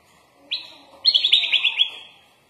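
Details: Sooty-headed bulbul singing a master song filled with mimicked phrases. One short clear whistle is followed by a fast trilled series of eight or so bright notes that slowly trails away.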